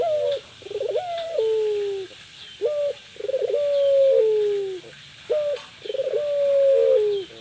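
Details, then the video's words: Puter pelung dove, a female, cooing to attract a male; each phrase opens with a short stuttered note and stretches into a long, gently falling coo, with three phrases in seven seconds. "Burung puter pelung betina, cocok untuk memancing puter jantan"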